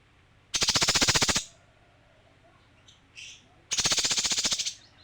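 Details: A male kinoi delivers a fast, buzzy rattle of even pulses, pauses about two seconds with a brief soft note, then repeats the rattle.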